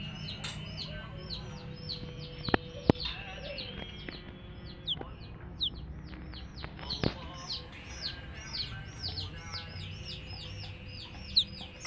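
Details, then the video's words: Baby chicks peeping in a busy series of short descending whistled notes, many overlapping, with occasional clicks and knocks in the background. "Witty MURGI Baby "Chicks Chirping" Sound"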